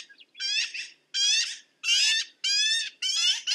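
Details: Five drawn-out, grating squawks from a black-billed magpie, each about half a second long and repeated roughly every half to three-quarter second.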